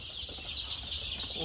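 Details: Chicks pressed together in a box from the cold at a poultry farm: overlapping thin high peeps, with one clearer, slightly falling cheep in the middle, over faint low background hum.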